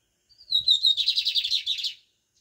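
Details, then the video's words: One clean pardinho phrase from a lined seedeater: a descending whistled lead-in, then a fast rhythmic buzzy trill of about twelve pulses, ending abruptly. A faint low thumping sits underneath. "BIGODINHO PARDINHO DANDO UM EXCELENTE CANTO!"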